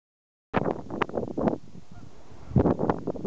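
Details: Long-staying drake Green-winged teal at Dorman's Pool in the afternoon, giving short, harsh, nasal quacking notes in two quick bursts about two seconds apart, with low background rumble.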